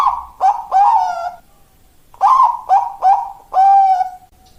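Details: Zebra dove, song style known as "malaikat maut", a bird fit for breeding: crisp stuttering coos building into a long, smooth closing note, the phrase given twice with a short gap between.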